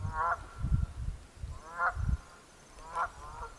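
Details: At Mud Pond in Jefferson, New Hampshire, a pair of Canada geese honk three times, each call a brassy, rising-then-falling blare, against continuous deep background rumble.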